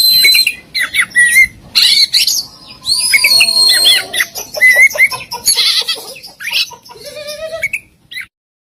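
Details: Kacer (Oriental magpie-robin) singing a masteran of isian and tembakan: varied bursts of harsh notes, clear slurred whistles and rapid chattering phrases, ending with a buzzy trill and then silence.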